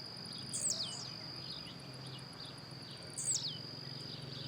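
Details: Wild blue-black grassquit hopping and singing: two short, piercing notes that drop steeply in pitch, spaced about two and a half seconds apart, over a constant high insect tone and low rumble.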